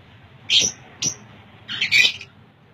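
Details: Lovebirds in a newly set up breeding colony, giving three bursts of shrill, high-pitched squawky chirps, with a short gap between each burst against a quiet background.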